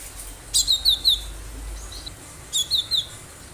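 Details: Wild cinereous tit used as a lure for other birds: a phrase of four high, descending slurred notes, then after a gap a second phrase of three, over low rumbling background.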